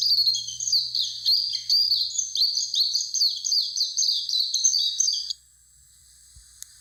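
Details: Warbling white-eye near Mount Fuji pours out a rapid, high twittering song of wavering squeaky notes for about five seconds. The song stops abruptly, leaving near silence with one faint tick.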